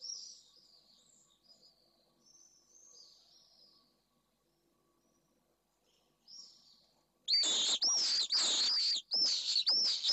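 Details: At a nest camera in Jerez de la Frontera, a Pallid swift pair comes back in the late evening, the day after the female's first egg. Faint distant high screams, a pause, then loud harsh trilling screams repeated rapidly at close range.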